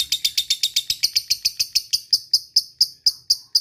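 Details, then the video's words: Lovebird ngetik, ticking notes used as a lure for calling a rival: sharp, high clicks, quick at first then slowing to about four per second, thinning to spaced pips. "LB FIGHTER NGEKEK PANJANG masteran lovebird ngetik ngekek panjang"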